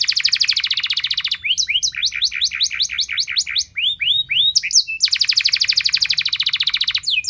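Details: Canary song, a long loud 'nembak' style used as a lure to prompt other canaries to sing: fast buzzy trills of rapid repeated notes, then a run of downward-swept whistles, then another rapid trill.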